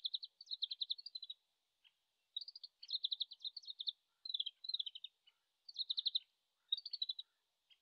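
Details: Oriental greenfinch in Japan in late March, singing from far away and still practising its song, recorded with a shotgun microphone: quiet bursts of fast twittering notes about a second long, each separated by short pauses, repeated six times.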